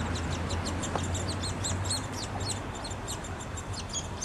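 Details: Downy Woodpecker young calling for food at the nest during feeding time, Wolfe Park, Columbus, Ohio, May 2013; quick high-pitched chittering notes repeated about four times a second, with a low rumble beneath.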